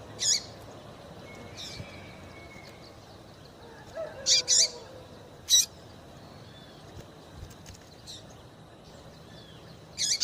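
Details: Female double-collared seedeater call, used to excite and stir up males. Brief, sharp, high chips sound singly or in quick pairs at irregular intervals over a steady background hiss and low noise.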